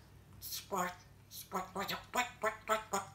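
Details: Talking African grey parrot (Jaco) chattering in speech-like syllables, about seven quick voiced bursts in three seconds with a human-sounding pitch, in a quiet room.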